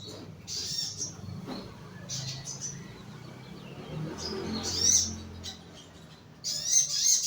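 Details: Young crimson sunbird kept in a lower cage as therapy, giving short high, thin chirping bursts in scattered clusters with quiet low background hum between them.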